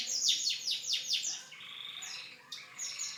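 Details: Canary singing a bright, high song: a fast run of six down-slurred whistled notes, then a sustained buzzy rolling trill, and a fresh phrase of clear notes starting near the end.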